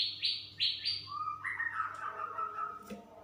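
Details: Female straw-headed bulbul singing in 'super ropel' style: three quick, high, whistled downslurs, then a lower, rich, bubbling warble that runs on and fades, with a faint steady hum behind.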